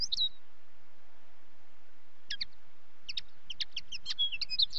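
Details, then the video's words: Common linnet singing in short bursts, a brief twitter, a pause, then a run of rapid high chirps and trilled notes with a few clipped twangy elements. "Linnet song"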